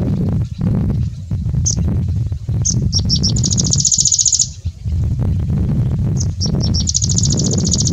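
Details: A grey-breasted prinia sings high, fast trills of rapid repeated notes in two bursts on a windy day, over strong wind rumble.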